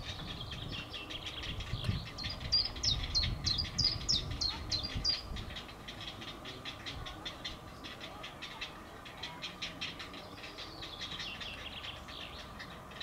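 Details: Great blue heron chicks, roughly one week old, being fed a crawfish by their mother, captured on a field camera: loud rapid clacking series with squeaky high notes for several seconds, then fainter scattered ticks over background hum.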